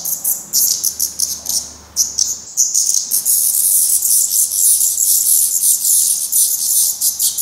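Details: At a Portuguese nest, black redstart young, head still downy, are fed by their parents; separate high chirps give way after a couple of seconds to a steady, shrill, continuous stream of rapid calls.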